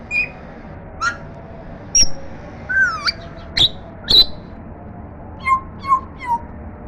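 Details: African grey parrot kept as a pet, trying to talk for the first time: a string of varied short whistles, clicks and squeaks, some falling, spaced about a second apart, with faint household hum.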